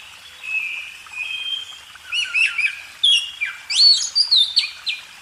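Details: Oriental magpie-robin song in a cage-bird training recording: soft drawn-out whistles at first, then louder clipped notes and bright rising and falling whistles closing the phrase.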